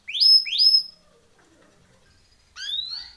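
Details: Timbrado canary, in a training song, gives two quick upward-sweeping whistles, pauses in silence, then adds a third longer rising whistle.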